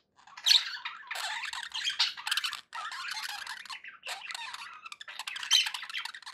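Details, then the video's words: Budgerigars kept as pets chatter in bursts of squeaky, scratchy warbling, separated by short pauses, high-pitched throughout. "budgie sounds for pet birds"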